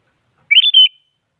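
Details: One brief, rippling whistled phrase from a sooty-headed bulbul, given as active song to push rivals into singing.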